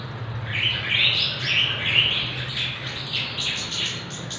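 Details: Javan bush lark aged six months, singing actively, suitable as a tutor or song trigger: hurried, blurred high twittering with little clear note structure, a steady low hum underneath.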